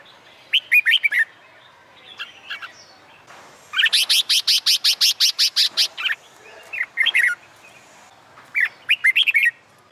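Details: Red-whiskered bulbul being trained for contest singing on a summer day. Short warbled phrases surround a fast run of about twelve evenly spaced, sharp notes, and other birds chirp in the background.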